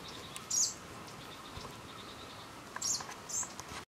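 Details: Lanceolated warbler on Christiansø, Ertholmene, 30 July 2012, giving three brief, high, thin chirps, one early and a close pair near the end, over a steady background hiss.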